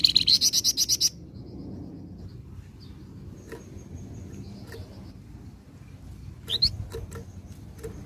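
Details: Scarlet minivet, an active singer used to draw in other birds, opening with about a second of quick, evenly spaced buzzy high notes, followed by quiet faint chirps and one sharp upward note.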